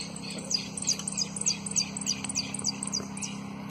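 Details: Competition jilguero, a runner-up, in its prio, golpe and pitadas song style: a fast string of sharp, high, downslurred notes repeated about three times a second, over a low steady hum.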